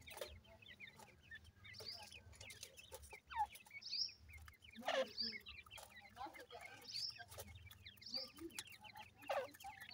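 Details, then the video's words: Feeding francolin chicks give scattered thin peeps and a few sharper high chirps spaced a second or two apart, set against faint background rustling and occasional tapping clicks. "Teetar chicks ke awaz"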